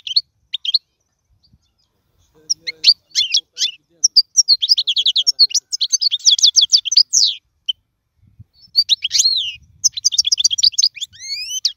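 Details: Long, lively goldfinch song for training young birds to sing: scattered chirps open into dense, rapid twittering and trills, a brief pause, then another fast tinkling run with rising slurred notes.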